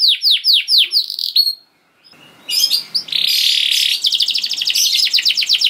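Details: Canary in long 'gacor' song, used as a lure recording to prompt canaries to sing: a run of falling whistled sweeps, a brief near-silent gap, then a dense buzzy trill and rapid rolling notes.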